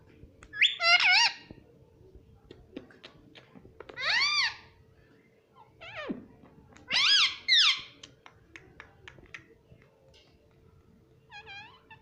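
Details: Pet ringneck parrot, a talking bird said to say "mummy", indoors: three loud nasal, harmonic phrases with rising and falling inflections, spaced about three seconds apart, a quieter squeak near the end, faint clicks between.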